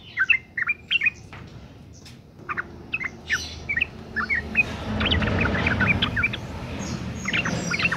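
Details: Sooty-headed bulbul female in breeding condition, calling to lure males into song. Short bursts of chirpy, bubbly notes, some sharper clicks, and scattered liquid whistles over a rising background hiss.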